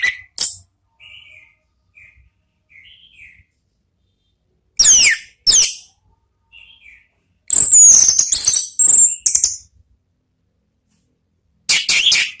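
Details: Ngeplong song of an Orange-headed thrush, used to lure birds: scattered soft whistles and brief sharp bursts, then a longer run of shrill, very high, chattering and sliding notes, closing with another burst of piercing notes.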